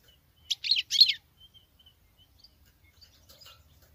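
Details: Female European goldfinch singing like a male: three quick, dense bursts of high twittering notes packed into under a second, followed by faint, scattered high chirps and a quiet low rumble.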